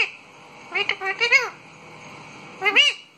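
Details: Pet parrot, described as a talking bird, giving two bursts of short harmonic squawky notes with rising and falling arcs, separated by a quiet pause, indoors with faint background hiss.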